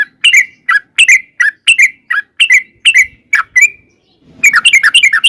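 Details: Sooty-headed bulbul singing a long 'ropel' lure song for drawing answers from other birds. Spaced, bright chirped notes repeated steadily, a short silence, then a dense burst of tumbling notes.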